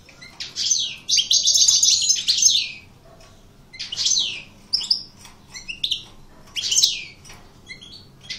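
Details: Aggressive coupleur European goldfinch singing in the maknine style: long bursts of rapid high tinkling twitters and buzzy rolls, broken by short pauses and scattered sharp chirps.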